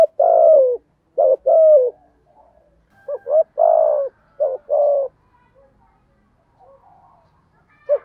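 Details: 'Thổ' voiced spotted dove decoy cooing in several phrases of short doubled notes and longer falling coos, with a faint voice at the end.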